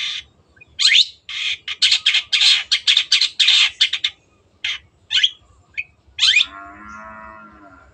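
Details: Long-tailed shrike, a kept songbird, singing loud harsh squawky bursts in a quick run, then a few rising notes and a lower buzzy drawn-out phrase at the end.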